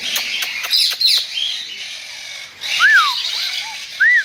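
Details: King parrot whistling: after a stretch of scratchy clicks and chatter, two clean arched whistles rise and fall smoothly. A softer short note comes between them, over a steady hiss.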